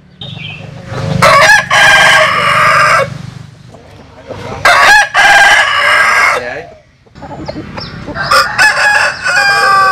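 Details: Several crows from roosters, Vietnamese and American Sil birds, follow one another over about ten seconds, each harsh and sustained, with low background rumble and overlapping clucks and voices.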